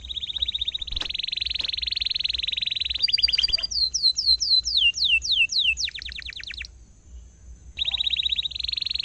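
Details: Canary in full song, used as a tutor recording for young canaries, in a rolling 'ngerol' style with 'nembak' bursts: long high buzzy trills, a run of rapid descending whistled sweeps, a brief pause, then trills resume.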